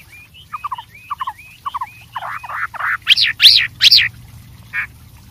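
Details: White-rumped shama singing in the wild: a run of short whistled phrases around the middle range, then louder sweeping rising-and-falling notes reaching high, ending with a brief buzzy note.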